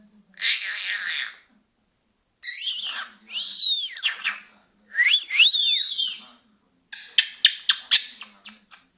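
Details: Senegal parrot talking in a run of sounds: a harsh, hoarse phrase, several whistled, swooping, word-like phrases, then a string of sharp clicks and ticks.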